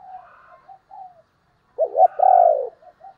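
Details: Decoy spotted dove for luring doves: a loud stuttering coo and a long falling coo, preceded and followed by softer distant cooing from other doves.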